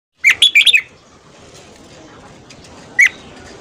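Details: Red-whiskered bulbul singing in the morning gives a quick burst of four or five bright, liquid whistled notes, then a single note nearly three seconds later.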